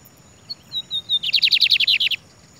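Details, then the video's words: Free-flying bigodeiro (Lined Seedeater) singing while perched on a man's head, answering another bird nearby: a few thin descending whistles, then a fast series of about ten sharp, repeated chirps, with faint background hiss. "bigodeiro solto cantando na cabeça do meu amigo Nobre"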